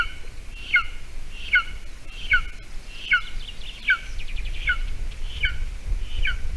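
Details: Golden eagle at a nest in Latvia on the morning of 28 June 2020, island and bog habitat with scarce prey, mouse brought for breakfast; sharp downward-sliding notes repeat regularly over noticeable low background rumble.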